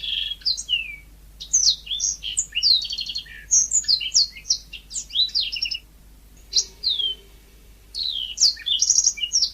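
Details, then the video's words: Yellow-fronted canary (mozambik) singing lively: fast bursts of high, sweet twittering notes and quick slurred whistles, with a short pause midway before the jumble of chirps resumes. "Kicau burung mozambik gacor alami"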